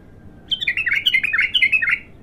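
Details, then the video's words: Untrained bulbul (abtar) singing on one of its first outings: a quick run of rich, slurred warbling notes that rise and fall, delivered in a single continuous phrase of about one and a half seconds, with a faint low hum behind. "تغريد الابتر"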